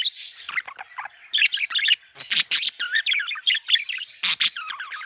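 Budgerigars warble nonstop in a busy stream of chirps, squeaks and scratchy buzzing notes.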